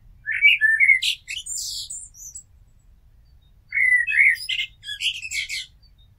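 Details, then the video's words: Blackbird song near a house with two phrases, each of rich low whistles followed by a burst of scratchy, high twittering notes, separated by about a second of silence. "Amsel Gesang - Merle Noir Chant - Blackbird Song - Mirlo Cantando"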